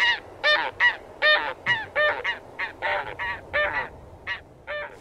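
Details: Taiga bean goose honks come in a dense run of about a dozen calls over five seconds, some overlapping, slightly softer and set against a steady background hiss.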